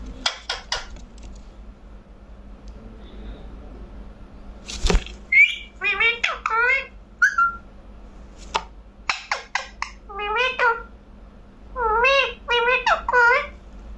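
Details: Pet talking parrot kept indoors, giving speech-like syllables with wavering tones, sharp whistled notes and clicks in short bursts over a steady low hum.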